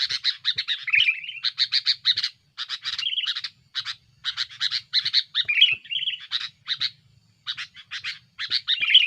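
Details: Sooty-headed bulbul singing aggressively to press rivals, a lure recording: dense runs of raspy, scratchy chirps with occasional sliding whistles, grouped in bursts separated by brief gaps.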